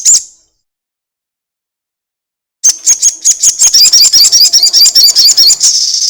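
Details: Crested jay, a lure recording made to get other birds singing: a short high note, silence, then a long, loud rattle of rapid, evenly repeated dry pulses lasting over three seconds.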